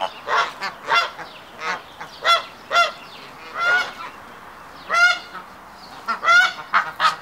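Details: Courting hybrid Canada geese perform the triumph ceremony as a pair forms. Loud, harsh honks come in irregular bursts, some overlapping and some double, over a murmur of other goose voices.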